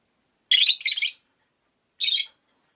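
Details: Harsh, rasping chirps from caged rosy-faced lovebirds kept by a window, five birds: a long triple burst followed after a pause by a single shorter chirp.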